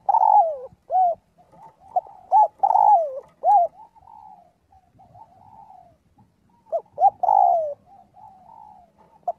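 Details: Spotted dove calling to its flock, practising its voice each day: two phrases of short coos each ending in a drawn-out falling note, with faint quiet coos between.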